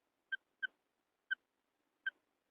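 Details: Female quail call used as a lure for hunting in wheat fields: four short, clipped notes, the first two close together and the rest spaced further apart, in a quiet setting.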